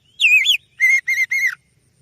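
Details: Oriental magpie-robin (kacer), kept as a lure bird, singing rich whistled notes: a rising slurred whistle followed by three even, slightly falling whistles.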